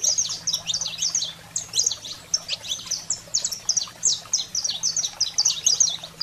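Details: Saffron finch delivering agitated wild-fire song for firing up canaries: rapid, bright, high-pitched chips and slurs in tight bursts separated by brief gaps, accompanied by a steady faint low-pitched hum.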